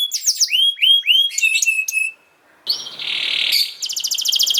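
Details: Canary song for young canaries: looping whistled notes and bright chips, a brief silence, then a noisy buzzy burst and a fast high trill.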